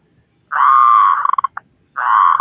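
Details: Local zebra dove with a big voice, singing as a lure to prompt other doves to sing: a long loud mellow coo, then a quick run of staccato notes, then another sustained coo begins.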